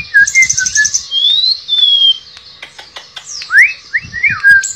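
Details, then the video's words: Tledekan pring shortwing singing in the nembak and ngerol style: buzzy high trill, long level whistles, rapid clicks, then strong rising and falling slurs. "Terapi BURUNG TLEDEKAN PRING gacor nembak dan ngerol"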